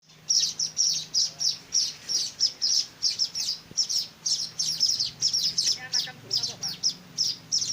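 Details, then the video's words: Weaver chicks begging while being hand-fed: a fast run of high, sharp chirps, about three each second and steady throughout, with a faint low hum and a brief voice-like murmur near the end. "meloloh anakan burung Manyar"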